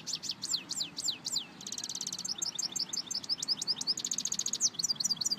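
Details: European goldfinch song for goldfinch training, a lively high twitter of repeated downslurred chirps, rattling buzzy trills and quick liquid notes running continuously over soft background hum.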